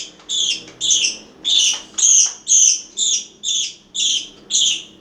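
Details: Parakeets at mealtime in Itaim Paulista, São Paulo, Brazil: high, shrill, double-toned chirps repeated at a steady pace, about two each second.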